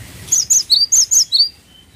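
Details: Gelatik watu (cinereous tit) delivering one crisp phrase of six loud, sharp whistled notes in quick succession, high and lower notes alternating, over a quiet background.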